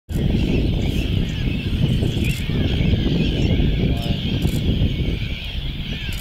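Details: Eurasian oystercatchers mobbing a Sooty Tern at the Ythan Estuary, Aberdeenshire, in July: a continuous chorus of shrill piping calls, many birds overlapping without pause, partly masked by heavy wind rumble.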